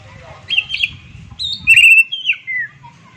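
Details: Oriental magpie-robin whistles a few clear slurred notes, some held, some dropping, over a steady low rumbling background noise.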